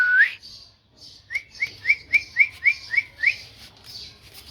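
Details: Talking parrot: an opening upward whistle, then eight short, quick rising chirps in an even series, over a faint hiss of background noise.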